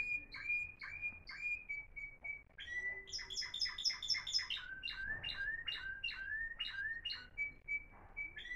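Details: Florealdo timbrado canary, one of three caged show birds recorded in 2021, delivering steady piping notes, then a fast high rolling trill, then a chain of swooping, downward-bending whistles, ending again in level piped notes.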